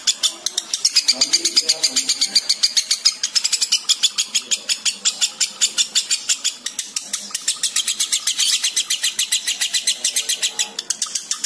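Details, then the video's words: Lovebird in breeding condition giving ngekek, a long unbroken chatter meant to draw out breeding behaviour in males and females: rapid harsh pulses about five per second, running continuously without a break. "PANCINGAN AMPUH LOVEBIRD BIRAHI SAMBUNG NGEKEK"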